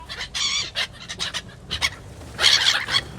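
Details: Gulls in Yakutsk: a harsh, harmonic squealing call near the start, then several short, sharp calls and a dense, noisy cluster of overlapping cries toward the end.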